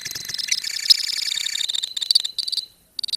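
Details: Softer lovebird colony chatter of the 'ngekek' type: quick, high, rattling notes run together for under three seconds, then fade out. A few sharp chirped bursts follow after a short pause.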